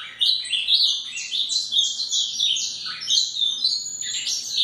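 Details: An Ultramarine Grosbeak (azulão), agitated and taken outdoors into the bush as part of step-by-step training to open its song, sings a quick run of clear, warbled notes sliding up and down.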